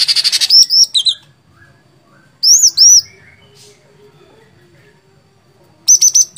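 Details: Cucak cungkok, the sooty-headed bulbul, singing gacor fighter style: a rapid trill opens into arched whistles, a long quiet gap, two more arched whistles, then a final burst of level high notes.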